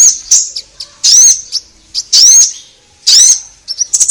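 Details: Orange-headed thrush in lively song, used to prompt caged birds to sing: bright, rising whistled phrases about once a second, separated by short, quieter chips and brief silences.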